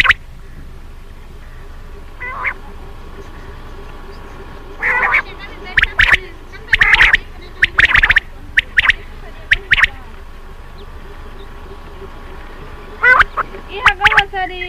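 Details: Common quail delivering bursts of sharp, high, clipped notes in small clusters separated by quiet stretches, with a constant low hum throughout.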